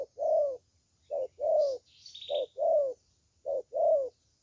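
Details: Clear close cooing of a good-voiced spotted dove ('thổ tơ'): evenly spaced pairs of a short hoot and a longer wavering coo, repeated about every 1.2 seconds, one faint high chirp in the middle.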